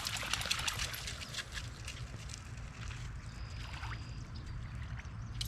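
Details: Trickling, pouring water and rain-like patter over a low rumble, with no clear animal call.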